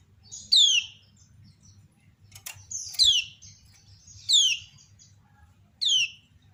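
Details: Kept female kecial kuning (Lombok white-eye) calls and draws replies from others: bright descending whistled slurs about every one and a half seconds, a brief dry click between, steady low background hum.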